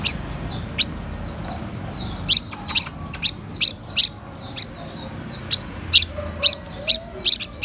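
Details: A red-whiskered bulbul learning to eat cricket abdomens gives a run of thin, high, squeaky chirps, some slurring downward, broken by sharp ticks and a few louder irregular notes.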